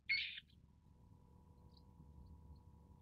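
A long-tailed shrike gives one harsh, raspy note lasting about a third of a second, followed by quiet with a low background hum.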